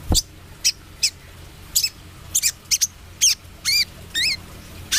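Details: Speckled 'trotol' brown-throated sunbird singing briskly. Sharp, very high chips and looping down-slurred notes come roughly twice a second, with a thud at the start.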